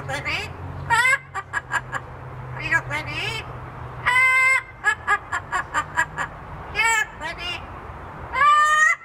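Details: A happy pet parrot laughing and singing: short bursts of rich, voice-like harmonic sounds, some rising or falling, between quieter gaps, with a low steady hum in the first half.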